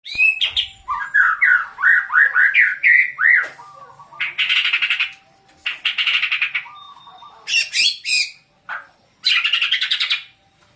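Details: Agitated, easily excited white-rumped shama in song: loud rich phrases of rising whistles and chattering bursts, then harsh buzzy rattles repeated in quick succession, with a faint steady tone behind.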